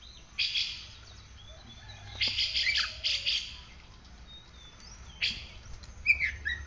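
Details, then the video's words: Oriental magpie-robin, kept and sunned each morning, singing short bursts of grating, buzzy notes in loose clusters with pauses between, ending in a few sharp whistled chirps; soft low hum behind. "Kacer gacor"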